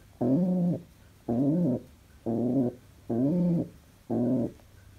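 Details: Pet pigeon said to be overjoyed utters five separate, deep, harmonic coos, each about half a second long, spaced about a second apart with quiet pauses.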